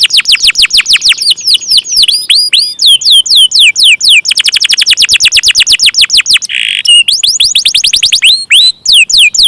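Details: Canary song in 'ngeroll panjang' style, alternating looping downslurred whistles with bursts of quick rolling notes, plus a brief rasping buzz around six and a half seconds.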